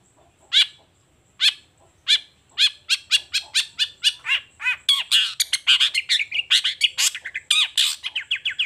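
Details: Long-tailed shrike in lively morning song: a few spaced harsh notes that speed into a rapid run of about twenty scratchy, chattering notes, growing denser and louder toward the end.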